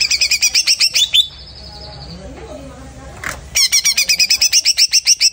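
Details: Greater green leafbird that has just completed moulting delivers fast, evenly pulsed chattering notes, roughly four per second, broken by a short pause with a faint thin tone and low murmuring voices.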